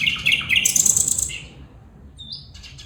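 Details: A female bulbul calls with a burst of loud, scratchy chirps and bright, high notes that fade away, then a short, thin, rising whistle.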